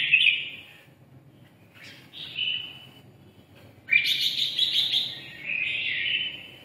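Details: Red-whiskered bulbul of the red-eyelid type, sung in the "siêu ché" style: bright warbled phrases, short bursts then a long, rich, rolling chatter, over low background hum.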